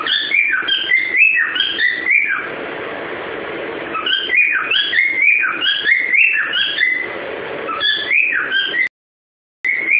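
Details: Pet cockatiel whistling 'Ô bate o pé' indoors: a run of bright, sliding whistled phrases with rising and falling notes, a brief lower hum, then more melody before a short cut.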